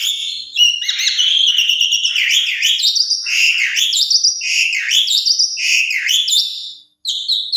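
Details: Asian pied starling song used as a lure to make other starlings answer: a loud, continuous run of whistled and harsh notes, sliding and rising phrases repeated with slight variation, then a brief pause before resuming.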